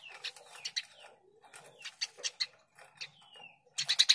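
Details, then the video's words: Gacor burung gereja, Eurasian tree sparrow (Passer montanus), chirping for a training recording: uneven strings of buzzy chirps mixed with thin descending whistles, ending in a loud quick burst of chirps. "Masteran burung gereja gacor"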